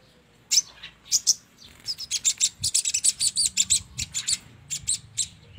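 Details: Sogon lure call for bird trapping: scattered sharp high chips that speed into a fast, even series of bright chirps, then slow again, with quiet low background noise.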